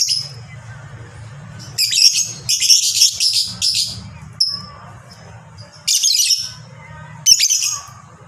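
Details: Kept fighter lovebird in long ngekek chatter, heard as harsh, buzzy, high screeching bursts lasting about a second, separated by quieter gaps filled with a low background hum.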